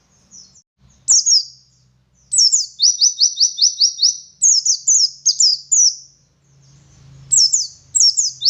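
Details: Local West Javan Oriental white-eye from Garut singing energetically: bursts of high, sharply descending whistles, then a quick even run of about eight notes, with pauses between phrases and faint low rumble in the background.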